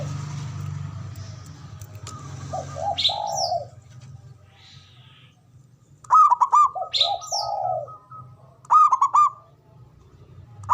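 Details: Male zebra dove ngoar manggung call for rousing mating drive: soft coos followed by quick stuttered note bursts, repeated twice, with brief high sweeping calls from another bird and a low background hum.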